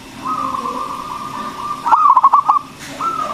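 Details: Local-type zebra dove, a strong, loud-voiced singer, played as a lure to stir other doves into singing: a long level whistled tone, then a quick stuttering run of cooing notes, and a short tone at the end.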